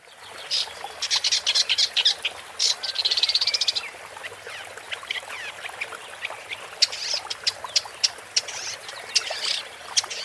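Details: Woodchat shrike singing a fast, scratchy, chattering song of varied high notes, with bursts of rapid buzzy trills and sharp clicks that come and go in uneven phrases.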